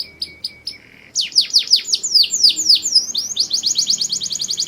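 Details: Mushti canary song meant to excite females for breeding: a few short notes and a brief low buzz, a pause, then a run of sharp descending whistled sweeps leading into a rapid, regular high trill.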